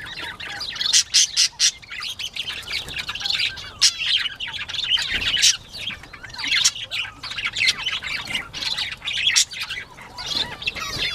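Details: Bobwhite quail during playtime, 19 April 2017, 10:13 AM: continuous busy twittering and squeaky chirps from several birds, punctuated by sharp, loud squawk bursts at uneven intervals.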